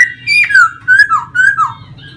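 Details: Caged laughingthrush from a Vietnamese songbird club, singing while dancing with fanned tail; clear whistled phrases slide downward, given in three short bursts with brief pauses, a faint low hum beneath.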